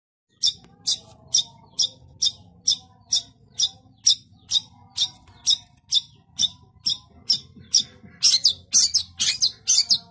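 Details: A long-tailed shrike in full, dense song gives harsh, high, scratchy bursts, about two per second, closer together and rougher toward the end, over a faint low hum.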